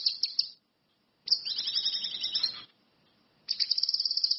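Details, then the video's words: Energetic lure song of an orange-headed thrush (cucak kinoi, ranti mas). A few separate high notes, then a warbling run of quick falling whistles, a silent gap, and a rapid high pulsing trill. "SUWARA BURUNG CUCAK KINOI/ RANTI MAS, GACOR"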